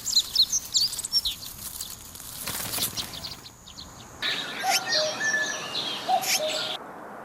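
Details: A nesting female Azure-winged Magpie, bound to her cotton-lined nest in a silverberry tree with three eggs, calls her mate for food: quick thin high chirps, then a longer buzzy rasping burst, over faint rustling.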